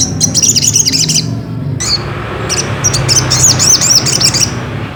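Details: Ruby-cheeked sunbird song, used as a lure to stir another bird into singing: rapid high twittering runs of looping, arched notes, broken by a short pause, then a second fast sequence, with low background hum.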